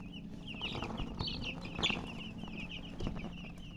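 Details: Many baby chicks chirping together, dense overlapping high peeps that slur downward, continuous and busy, with a soft low background hum and occasional rustling.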